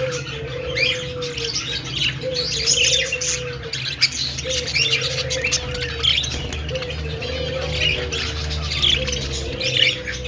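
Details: Many budgerigars chattering together in an aviary: dense overlapping high chirps and warbled squeaks, plus a repeated mid-pitched drawn-out coo-like note every second or so and a low background hum.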